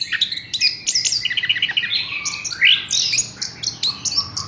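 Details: Horsfield's bush lark kept in a cage, delivering a fast string of clipped chirps followed by a rising slurred whistle and more scattered high notes.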